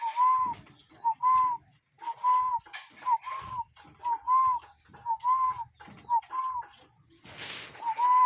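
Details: Real cuckoo heard calling outdoors in nature: a steady series of two-part whistled notes, a brief lead note then a longer slightly rising one, repeated roughly every second, with a short noisy burst near the end.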